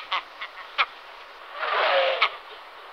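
Great skua giving short, harsh, nasal barks spaced irregularly, with a longer hoarse rasping stretch in the middle; steady background hiss throughout.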